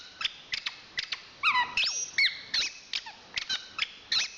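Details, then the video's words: Chestnut-capped thrush of national champion standard uttering sliding squeaks, a drawn-out high whistle and falling slurred notes, with scattered sharp chips between phrases. "Suara Kicauan Burung Anis Kembang Juara Nasional"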